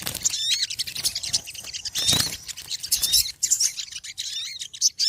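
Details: Small birds calling noisily: a dense, loud stream of high, sharp chirps and thin rising whistles, overlapping and tumbling without pause.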